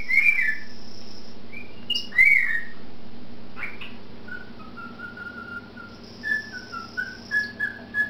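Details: Pet cockatiel whistling in a duet with a canary, the two listening and reacting to each other: a melodic tune of clear, sliding notes with short pauses between phrases, built from embellished wolf whistles.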